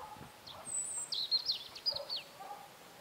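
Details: European robin singing in late April in Berezinsky Reserve, Belarus: a quiet, brief burst of thin, high, squeaky warbled notes with quick rising and falling slurs mid-clip, over a soft hiss with a faint lower twitter.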